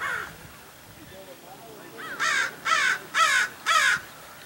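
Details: Common raven calling at Paramount Ranch in the Santa Monica Mountains, California, on 30 January: four loud harsh caws about half a second apart, each rough and broadband with a wavering edge, over faint background hiss.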